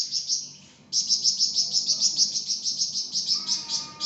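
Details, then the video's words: Singing flamboyan giving a rapid, steady series of high, sharp chirps, about three per second, after a brief opening note, with a faint whistle entering near the end. "𝗯𝘂𝗿𝘂𝗻𝗴 𝗳𝗹𝗮𝗺𝗯𝗼𝘆𝗮𝗻 | 𝗳𝗹𝗮𝗺𝗯𝗼𝘆𝗮𝗻 𝗴𝗮𝗰𝗼𝗿 | masteran flamboyan"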